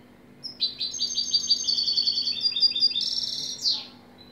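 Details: European goldfinch in song: a bright, rapid tinkling trill of high repeated notes that rolls on for about three seconds, then ends in a downward-swept buzzy note.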